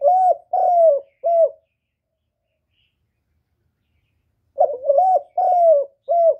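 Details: Cooing spotted dove, recorded cleanly for luring wild doves to a trapping site. The tail of one deep phrase of three coos, about three seconds of silence, then a fresh phrase with a broken first note, long slurred coos and a short final coo.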